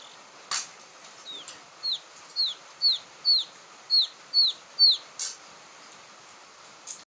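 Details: Quail chick peeping as a lure call: about eight clear, high, falling notes at roughly half-second intervals, with sharp clicks before and after the series.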